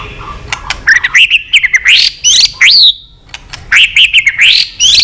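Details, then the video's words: Long fighting-provoking song of a white-rumped shama, tail clicks included: sharp clicks between bright, high, upward-sweeping whistled phrases and a sustained whistle, loud and clear. "chòe lửa kéo dây dài cực phê. đập tạch đuôi kích đấu. chòe lửa hót giọng dài kích lửa"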